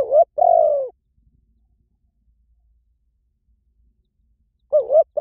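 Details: Spotted dove (nokkhao yai) cooing: a short low note followed by a longer sustained hooting coo, then silence, and a paired coo near the end.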